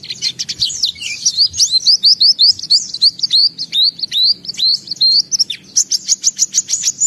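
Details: Vigorously singing white-eye, beak open, running through its repertoire: bursts of sharp high twitters, then a sequence of clear rising and falling whistled slurs, then rapid staccato chips, with a low hum behind.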